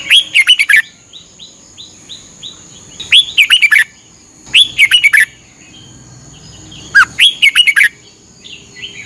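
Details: Red-whiskered bulbul from Thailand, a daily half-hour morning training song for cage birds: four loud warbled phrases, each a burst of quick rising and falling whistles, soft quiet chirps in the gaps, a constant thin high tone throughout.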